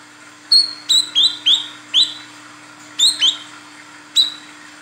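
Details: Calling female Olive-backed Sunbird summoning a male, kept as a lure: clipped high whistles that slide downward, given in quick pairs and triplets with short pauses, one last note after a gap, and a steady low electrical hum beneath.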